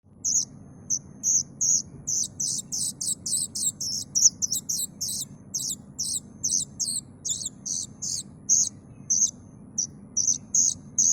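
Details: Plaintive cuckoo chick calling: a long series of short, very high, hissy-buzzy notes, about two a second with some bursts closer together. A faint low hum sits underneath.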